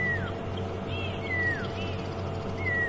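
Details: Pearl-spotted owlet whistling at sunset on a safari drive, impala also audible: clear, falling whistles about every 1.3 seconds, with fainter arched notes between them over a low rumble of engine or wind.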